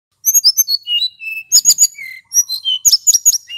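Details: Male hill blue flycatcher in full rolling song, used as a lure recording. Clear high whistles slide and fall in pitch, mixed with sharp chips and buzzy bursts, all delivered in quick strings with short pauses.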